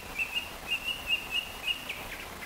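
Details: A Chinese hwamei, an introduced cage bird, practises its song in Chōfu, Japan, on 30 June 2015: clear, high whistled notes about three a second at a steady pitch, ending with a few slurred phrases, over faint hiss.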